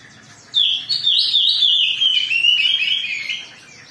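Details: Excited Oriental magpie-robin song meant to provoke singing in other birds: a rapid, rambling phrase of high, slurred whistles and chatters lasting about three seconds, then quiet.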